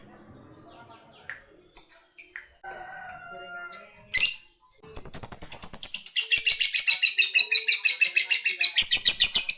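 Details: Lovebird calling a rival: scattered short high chirps and a faint lower whistle at first, then a sustained, fast, rattling high trill of the long ngekek style that runs without a break to the end.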